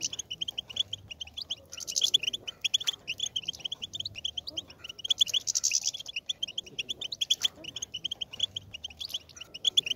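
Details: Goldfinch song used to stimulate other goldfinches to sing: bursts of bright twittering trills and chirps, high and rapid, coming in waves with short quieter gaps, several birds overlapping.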